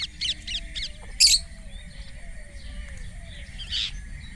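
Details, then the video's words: Indian ringneck (rose-ringed) parrot gives harsh, high chirps in a quick series of three, then a loud screech and a later squawk, over low rumbling background noise. "Indian Ringneck Parrot natural sound 🥰 Tote ki awaz 🦜 Mithu chirping sound"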